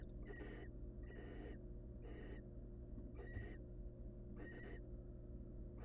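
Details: In a research nest box, hungry wild barn owl young beg with raspy hissing screeches, about six bursts spread unevenly over several seconds, a faint low hum running throughout.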